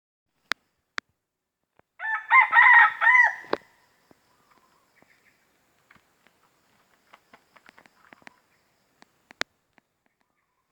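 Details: Wild red junglefowl in an industrial plantation forest in Riau, crowing to mark its territory: one harsh, broken crow of several loud pulses lasting about two seconds, followed by faint clicks and rustling.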